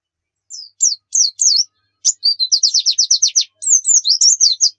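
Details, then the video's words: Training song of a white-eye: scattered sharp chirps, then a fast stuttering series of high notes in quick succession, closing with a warbling, wavering twitter. "Pancingan PLECI Bikin Cepat GACOR"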